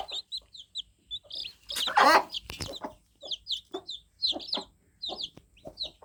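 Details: Newly hatched fluffy chicks cheeping: many short, high, downward-slurred peeps in quick overlapping bursts, broken by loud thumps and knocking noises.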